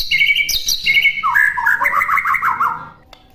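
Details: Oriental magpie-robin song used as a master recording for birds to imitate: loud clear whistled phrases, then a rapid run of chattering descending notes fading near the end.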